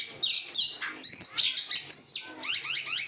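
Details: Oriental magpie-robin kept as a cage bird, singing loud varied phrases: sharp whistled notes, down-slurred sweeps and quick rattling trills in short bursts.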